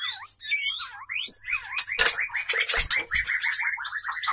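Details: White-rumped shama during courtship and mating, a male pursuing a female; swooping whistles and high squeaky notes, then fast chattering runs over loud clattering and flapping sounds.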